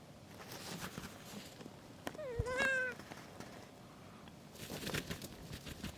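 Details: Kea trying without success to break into some gear: one short tonal call, dipping and then rising into a drawn-out harmonic note lasting under a second, with soft rustling and scraping before and after.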